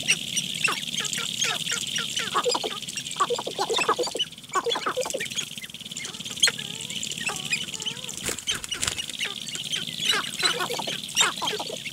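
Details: Sharp-tailed grouse (Tympanuchus phasianellus) on a lek in Nebraska National Forest and Grasslands near Halsey, Nebraska: a busy mix of quick clicks and rattles with short cackling and cooing notes, over a steady high hiss.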